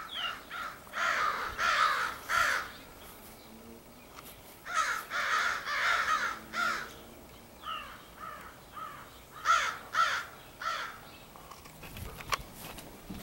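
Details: Crows from a big extended group, possibly selecting mates, on 4 April 2015; loud rasping caws in clusters of three to five, with many overlapping birds and short pauses between bursts.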